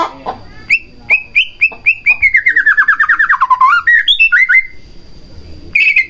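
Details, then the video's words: White-rumped shama song played to provoke another shama into singing: clear whistled notes near two kilohertz, then a fast run of about fifteen slurred notes dropping in pitch, ending in higher whistled phrases. "Pancingan Murai Batu Agar Bunyi Langsung Emosi Bongkar Isian"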